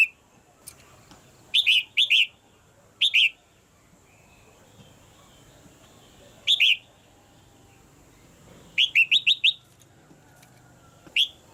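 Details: A caged red-whiskered bulbul hen calling so the male sings more strongly: clusters of crisp rising whistled notes, pairs and triplets, then a fast run of four near the end, with quiet gaps between.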